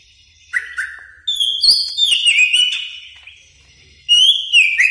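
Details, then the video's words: A greater green leafbird sings actively as a training tutor recording. It gives a rich, varied run of clear whistles and sweeping slurred notes, with bright chirps between phrases. "Masteran Cucak Ijo Gacor"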